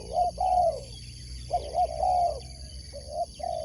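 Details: Spotted dove singing in a sport dove competition: soft, mellow cooing phrases of two to three notes, repeated about three times, over a steady high-pitched whine and low background rumble.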